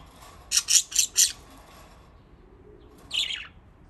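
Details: Pet budgerigars playing in water give a quick burst of four loud, harsh, buzzy chirps, then silence, then a shorter squawky chirp.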